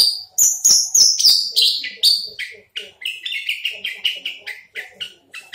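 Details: Caged crested Horsfield's bush lark with a big body sings high slurred notes that shift lower midway into a string of rapid, softer buzzy chips with small gaps.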